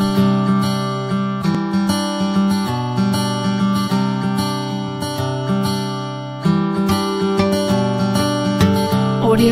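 Strummed acoustic guitar music plays throughout, with no animal calls heard.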